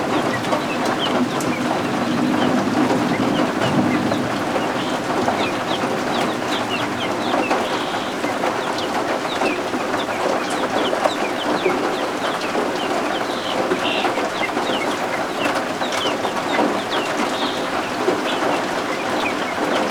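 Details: Freshly hatched helmeted guineafowl keets warming beneath a heat lamp indoors on a homestead during rain. They give scattered, high, thin peeps, sometimes in short clusters, partly masked by loud steady rainfall.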